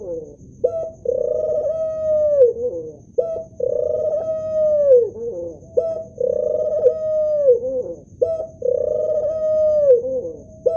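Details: Male ring-necked (Barbary) dove (Streptopelia risoria) cooing: soft, rolling coos about every two and a half seconds, each a short note then a long, drawn-out falling coo.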